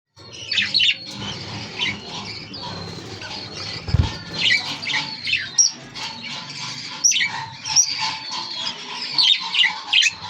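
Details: A breeding pair of pet budgerigars that has just laid its first egg chatters with rapid, scratchy, high chirps and warbles in continuous bursts.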